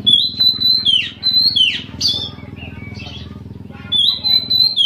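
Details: Oriental magpie-robin kept as a cage bird, singing a full song of mimicked phrases to prompt other magpie-robins: sustained high whistles and sweeping notes over a steady low engine hum.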